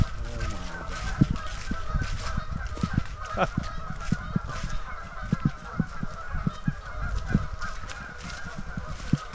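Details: A large flock of geese honking in a dense, overlapping chorus at a waterfowl resting refuge on Shabbona Lake, Illinois, with constant low rumble and wind noise beneath.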